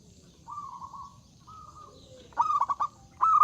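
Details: Loud zebra dove song meant to draw rivals into singing: soft prolonged trilled coos from other doves, then a close, sharp run of quick stuttering notes ending in a sustained trill.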